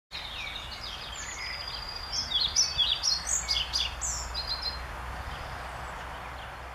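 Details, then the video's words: A European pied flycatcher, probably a parent of a nearby young bird, on 6 May 2013 gives a quick run of sharp, high ticking calls, about two a second, peaking midway, over steady low background hiss. "Trauerschnäpper - Ficedula hypoleuca - European Pied Flycatcher with Call"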